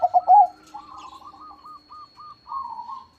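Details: Crossbred zebra dove with a big voice: a brief loud burst of staccato coos opens, followed by a long, softer chain of rolling coo notes from neighbouring doves.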